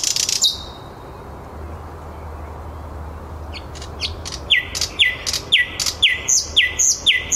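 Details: Singing at 21:30 in the city of Helsinki, Käpylä, a thrush nightingale opens with a loud buzzy burst. A quiet pause follows, then a quick series of descending whistled strokes, each sharply struck.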